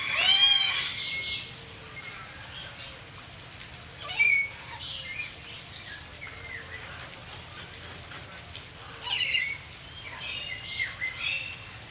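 Lories give harsh, shrill screeches in short bursts every few seconds, with quieter squawks and chatter between them.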